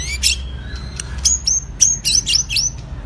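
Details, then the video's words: White-rumped shama, a bird of two seasons, in stamina training: sharp high whistled notes and rapid downslurred phrases, bursts repeated in quick succession over a low background hum. "chòe lửa tập lực.lửa bổi hai mùa | murai batu"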